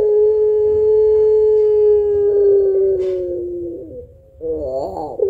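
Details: Puter pelung barbary dove with a long thick kuwok, used to stimulate other birds: a long steady low coo slowly sagging in pitch for about four seconds, then a short pause and a wavering, quavering phrase.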